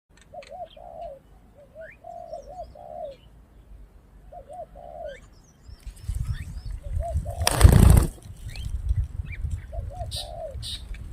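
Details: Spotted dove cooing, used for luring doves: low, wavering two-part coos repeated in short phrases. A loud rumbling, crackling burst interrupts midway before the cooing resumes, with faint chirps from other birds.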